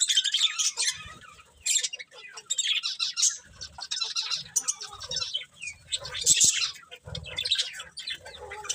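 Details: Several budgerigars chirping in overlapping high, rapid twitters and sharp squeaks, coming in loud bursts every second or two, with faint low knocks.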